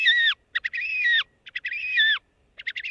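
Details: Horned Grebe, most vocal early in the breeding season, gives raspy, thin, nasal whinnying or braying squeals that waver and drop at the end, broken by quick stuttering notes, about three phrases in three seconds.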